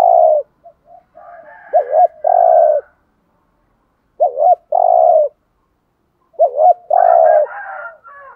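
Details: Caged decoy spotted dove calling to lure wild doves, giving three loud coos: a short wavering note followed by a long steady hoot, about two seconds apart, with fainter higher cooing from another dove behind.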